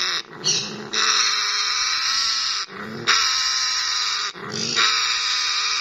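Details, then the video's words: Captive African grey parrot in breeding mode repeating long rasping, buzzy growls in three bouts of about one and a half seconds each, separated by brief breaths. "African Grey Breed Mode"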